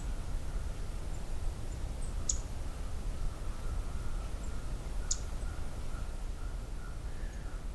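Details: A male Black-throated Green Warbler, apparently alone, at Johnston Harbour at midday in mid-May 2023, gives two sharp, high scolding ticks about three seconds apart over a steady low rumble and a faint thin tone; a Magnolia warbler is nearby.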